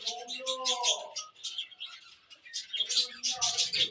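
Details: A flock of cockatiels keeps up continuous noisy chatter, with shrill buzzy squawks over lower warbling tones at the start and end.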